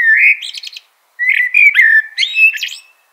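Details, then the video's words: Mellow, whistled common blackbird phrases with buzzy, chattering tails. A short warble is followed after a pause by a longer, tumbling phrase. "Natural Birds Voice, Bird Natural Sound.Common Blackbird."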